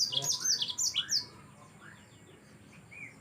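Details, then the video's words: Short burst of yellow-fronted canary song for Indonesian masteran tutoring: a tight cluster of very high downslurred chirps that stops abruptly, followed by faint softer notes and quiet background hiss. "Mozambik anda pasti ikut Gacor"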